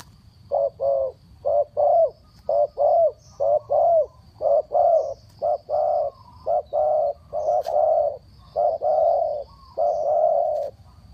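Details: Spotted dove calling to lure birds down: a long, rapid run of short, hollow coos, about one a second and often paired, over a steady low rumble and a faint high whine.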